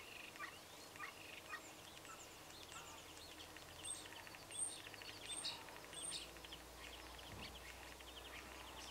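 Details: A common starling on the Isle of Skye (Milovaig, Glendale) imitates a neighbour's dog barking, flicking its wings with each yap. The sound is a dense, rattling, clicking chatter mixed with thin high whistles and squeaks, over a soft hiss.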